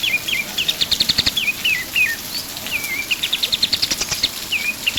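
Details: Pied triller song for songbird tutoring: falling two-step whistles mixed with short quick trills, a drawn-out sliding note midway, and a final dip; soft steady hiss underneath.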